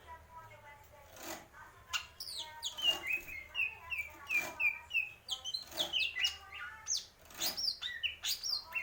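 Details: Greater green leafbird in mendem gadong style, pouring out a fast varied sequence of whistles, downslurred chirps and rapid trills, with sharp clicks between phrases.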